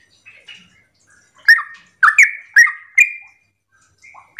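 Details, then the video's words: Sooty-headed bulbul, morning lure song to trigger replies from other bulbuls: soft scattered chirps, then four loud bubbly whistles in quick succession and a closing note. "Pancingan trucukan gacor ropel pagi hari trucukmu pasti langsung nyaut"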